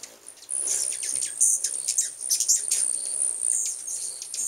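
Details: Many hummingbirds gathered in full force at a home in 2010, giving dense, rapid, very high, thin squeaky chips and twitters that overlap continuously over a steady high hiss.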